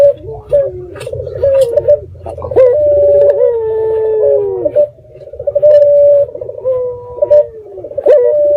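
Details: Local red-eyed dove calling at night as a lure to provoke answers: a continuous series of rolling, bubbly coos and long level notes that dip gently, repeated over and over with brief breaks.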